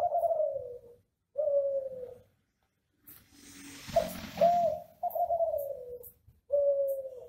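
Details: Classic Kelantan derkuku, a ringneck dove kept in Indonesia, singing a gacor master song meant to set other doves calling: long smooth coos that sag in pitch, one quick rising note midway, and a brief rustling noise.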